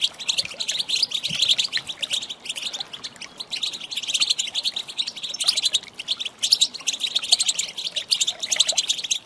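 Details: Female European goldfinch calls, used to stir males into singing: a dense, continuous stream of high, rapid twittering chirps in quick bursts, with brief pauses every second or two and no other clear sounds.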